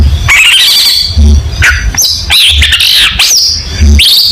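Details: Long-tailed shrike in lively competition song used as a tutor recording: a buzzy rising trill, then harsh squawks and looping high whistles in quick succession, with low-pitched humming behind.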